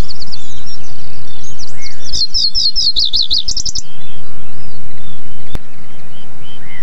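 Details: Common reed bunting (Emberiza schoeniclus) delivering a short song of rapid, high, zigzagging notes over under two seconds, partly masked by loud, rumbling low wind-like noise throughout, with a sharp click near the end.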